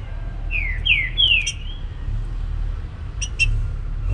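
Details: Trinca-ferro singing the baruc song in the morning: three bright descending whistled phrases close together, then two brief high chips, against a fairly strong low-pitched background rumble.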